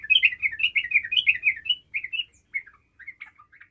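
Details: Lively sooty-headed bulbul song: a rapid run of liquid, chirpy whistles that slows and thins into a few scattered notes, used to provoke quiet birds into replying.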